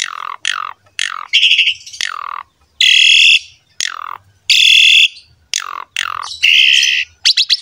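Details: Asian pied starling's vigorous song for tutoring juvenile birds: loud grating screeches roughly once a second alternating with sharply falling whistled notes, a harsh, repetitive pattern.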